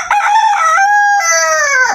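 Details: A rooster gives one full crow at about five in the morning, lasting about two seconds, loud and harmonic, rising into a long, steady middle and dropping at the end, with soft sustained music underneath.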